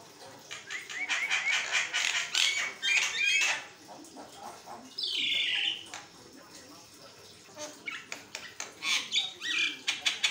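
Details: Javan myna (Acridotheres javanicus) master song, used to prompt other Javan mynas to answer and sing: nonstop chatter of harsh squawks, rattles and scratchy whistles, a loud rising-falling whistle midway, with rustling and flapping throughout.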